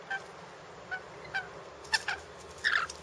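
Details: Rainbow lorikeets in a backyard: a few brief, thin squeaky notes spaced irregularly, followed by harsher rasping chatter that builds into a louder screech at the end.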